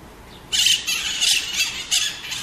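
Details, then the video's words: Harsh, noisy squawks from a maritaca (Pionus parrot): a loud rasping outburst followed by three shorter grating calls in quick succession over a quiet background. "Maritaca Cantando"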